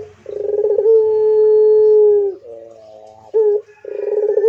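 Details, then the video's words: Barbary dove, pelung variety, producing a rolled burr that runs into a long sustained coo, a softer wavering note, a short clipped note, then another rolling burr. A faint low hum is present. "DENGARKAN MANGGUNG PUTER INI GACOR PLONG I PUTER PELUNG GACOR DOR"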